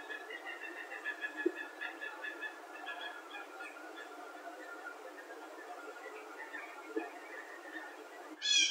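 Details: A small flock of blue jays in spruce trees on a September 2nd morning, some possibly juveniles, give odd, nasal, mewing calls in quick overlapping harmonic bursts, with sharper notes near the start and middle and a brief loud burst at the end.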